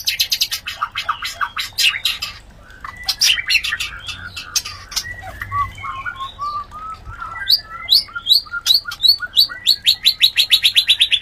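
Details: White-rumped shama mating sound, used as a lure to bring other shamas into breeding condition: rapid varied chattering phrases, then a rising series of bright high whistled notes repeated quickly near the end.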